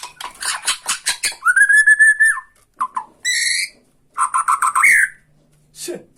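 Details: Provoking tretekan song from a Bornean white-rumped shama: rapid rattling notes, a long level whistle, short harsh blasts, and a final rising whistled phrase.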